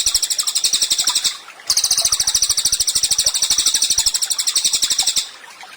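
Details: Songbird training recording of a vocal Cililin: a short high rattling trill, a brief gap, then a longer run of quick, sharp, evenly spaced notes lasting about three and a half seconds.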